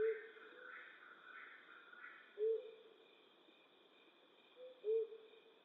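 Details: Flammulated owl hooting at night in western North America: short low soft hoots about every two and a half seconds, three in all, over a steady high hum and fading mid-pitched murmurs early on.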